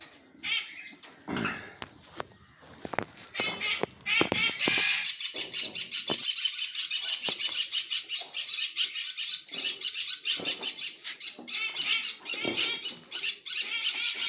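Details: Grey parrot (Psittacus erithacus) gives a few scattered squawks and clicks, then breaks into a long, rapid run of harsh, high-pitched chattering, several notes each second.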